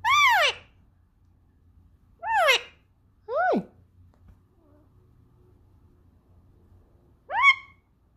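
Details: Pet male Indian ringneck parakeet indoors, trying to sing along with its owner: four harsh, descending squawks rich in overtones, three close together early on, then a long quiet pause before a final squawk.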